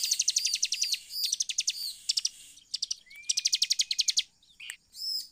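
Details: Bar-winged prinia (ciblek) song used as a lure to get other birds singing: rapid series of high, sharp repeated notes in fast bursts, with a brief rising whistle midway and a short pause near the end.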